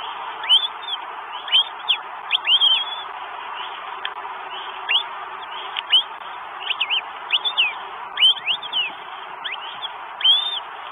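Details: Estonian Northern goshawk, 12 May 2022, with food being brought in: shrill downslurred whistles repeated at irregular one-to-two-second gaps, sometimes doubled, against constant low hiss.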